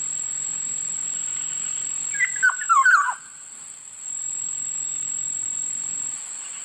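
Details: A single quick, warbling whistled phrase from a Black-naped oriole, several slurred liquid notes bunched together, followed by quiet background and a steady high-pitched hum.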